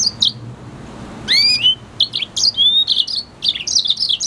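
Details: An F1 red hooded siskin × canary hybrid sings lively, high twittering phrases with sharp chirps, a rising whistled note and fast buzzy clusters in quick succession.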